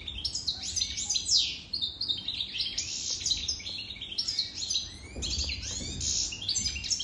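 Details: European goldfinch, an adult bird over three years old, singing a fast, tinkling run of twittering and buzzy notes with short liquid trills, pausing briefly near the two-second mark before resuming its chattering phrases.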